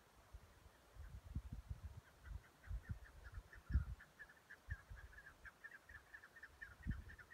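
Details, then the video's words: A chukar gives rapid, clucking chuck notes in a steady series of several per second, fairly faint under low rumbling wind and handling noise. "Chukar quaj sib nriav"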